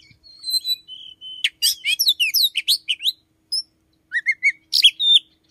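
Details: Morning song of an Oriental magpie-robin kept in a room, said to sing from 5 a.m. and to carry the voice of the chim sâu đầu đỏ. Clear sustained whistles, then a fast varied run of sharp chirps and slurred notes, and a few separate phrases.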